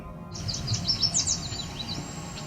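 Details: A Cedar Waxwing near Cape Chin North, Ontario, on 17 July 2019, in edge habitat by Otter Lake, gives very high, thin, hissing whines after a yellow warbler's song, amid other high chirps and a low rumble.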